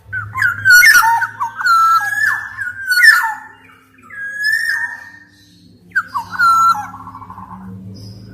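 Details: Black-naped oriole song for training and coaxing silent birds: repeated fluting whistled phrases with sliding turns, a long steady whistle, then a final dropping phrase, with a low hum underneath.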